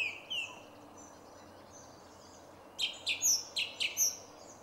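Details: Song thrush near Jarun in Zagreb, Croatia, recorded 2 March 2016: a soft whistle at the start, a quiet gap, then a fast burst of about six sharp, clipped notes near the end.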